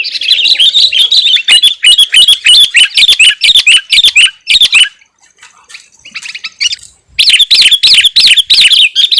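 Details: Sooty-headed bulbul (Pycnonotus aurigaster) singing fast, bubbly, chattering phrases of bright whistled notes, about three a second, with a short pause midway; used to lure wild birds.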